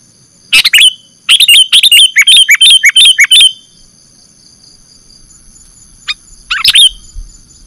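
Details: Sooty-headed bulbul (kutilang) calls played as a trapping lure: a rapid run of clipped, bubbly downslurred chirps for about two seconds. Then quiet, and a couple of isolated chirps near the end.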